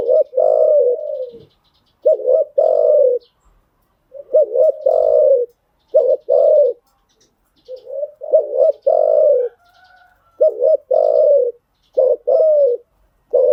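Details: Spotted dove cooing for training freshly caught birds: steady run of low hooting phrases, each a clipped double note then a longer rounded coo, repeated about every one and a half seconds with clean, quiet gaps.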